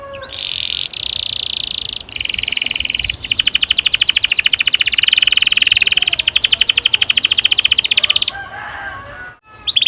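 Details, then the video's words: Canary singing a long rolling song, described as ngerol panjang and used as a lure to train young canaries to sing: high buzzy tours, then a fast even roll holding about six seconds before stopping, with a brief final note. "Kenari gacor NGEROL PANJANG cocok untuk PANCINGAN KENARI PAUD"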